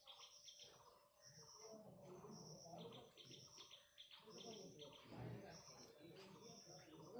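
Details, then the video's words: A red bulbul gives quick, bubbly chirps in short bursts with higher thin notes between them, while low murmuring voices run underneath. "Red bulbul Bird"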